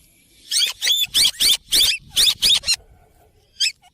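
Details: Rose-ringed parakeet uttering a rapid run of about eight loud, raspy screeches, roughly four per second, then a pause and one last shorter squawk.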